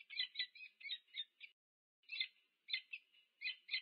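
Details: On 2 November 2022 at a UC Berkeley nest in the USA, a meeting peregrine falcon pair gives hoarse, chattering call bursts, then a half-second gap and further rasping notes.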